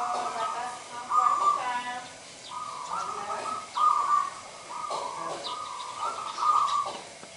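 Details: A local perkutut, or zebra dove, sings repeated rolling coo phrases, each about a second long, roughly five in a row, set against a constant hiss.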